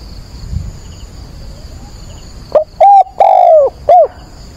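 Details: Spotted dove kept as a decoy, calling at dawn on 22 October to attract wild doves. A faint coo is heard in the distance, then one loud close phrase of four cooing notes, the third long and falling.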